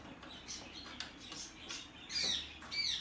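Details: A domestically bred, hand-tame blue-eyed cockatoo gives two loud, thin, squeaky calls near the end, after a stretch of soft rustling and scratchy noises.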